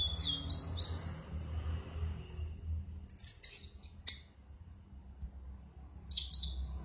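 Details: Anis merah (Orange-headed thrush) chattering in an excited 'mabuk berat' state: quick high whistled notes, a pause, a shrill ringing phrase, then a single short high whistle after a gap.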